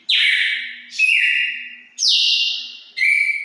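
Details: Red-cowled cardinal singing the wild style called five notes ending in turril, from a lineage largely traced to Pernambuco, Brazil: four long, loud whistled notes, each held nearly a second and stepping between high and lower pitches, separated by brief gaps.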